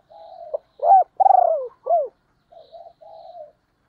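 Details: Female spotted dove decoy calling to lure wild doves: soft flat coo, a sharp note, a loud rising-falling hoot, then a long throbbing descending coo and a hooked note, ending with gentle low coos.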